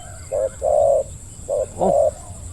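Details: Spotted dove, a decoy bird used for trapping, giving a deep 'khu-ang' style coo: short then drawn-out mellow coos in two pairs, steady and low-pitched, with faint background hiss.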